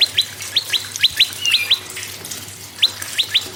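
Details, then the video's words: Prinia song, played to spur other caged birds to sing: sharp chirps sliding down, mostly in quick pairs, in bursts with a pause before a final run of doubled notes; steady low hum beneath. "PRENJAK LUMUT GACOR PRENJAK KEPALA MERAH GACOR TERAPI PANCINGAN SEMUA BURUNG MACET AGAR BUNYI GACOR"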